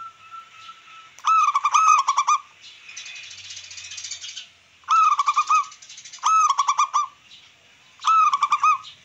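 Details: Local wild-type zebra dove song, played to excite rival birds and boost breeding urge. A long introductory note, then repeated bursts of rapid, ringing staccato notes roughly every two seconds, with a short hiss between phrases.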